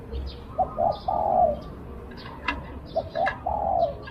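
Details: A decoy Spotted dove calls to draw in wild doves: two brief notes leading into a drawn-out mellow coo, given twice, over soft background chirping and light rustle.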